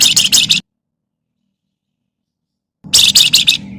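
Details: Javan myna in harsh 'crecetan' chatter, meant to lure other birds into singing: a short run of grating, buzzy notes, two seconds of silence, then a longer rattling run over faint low humming.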